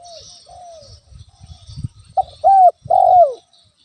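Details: Spotted dove, used as a natural lure to stir a rival's anger: two soft sliding coos, then low rumbling noise, then a short note and two strong drawn-out downslurred coos.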